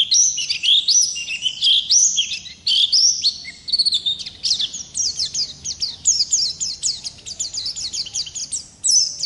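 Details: Oriental white-eye from the wild in full rolling song, a fast stream of high, sharp, upslurred whistles and twitters, roughly one burst per second, tumbling on with little break.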